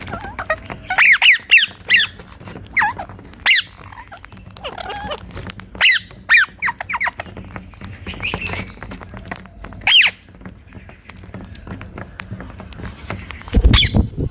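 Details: Wild rose-ringed parakeets, green parrots perched together on a tree in India, give loud, harsh, shrill screeches in quick bursts, about a dozen over fourteen seconds with short pauses, over a background of crackling clicks.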